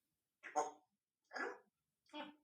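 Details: Pet female Congo African grey parrot speaking mimicked words, perhaps "Thanda Thanda Cool": three evenly spaced, voice-like syllables about a second apart, fairly quiet, in a small indoor room.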